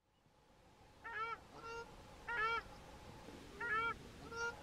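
A South African Shelduck pair duets: harsh, nasal honking bursts about every 1.3 seconds, answered by shorter, lower honks from the partner.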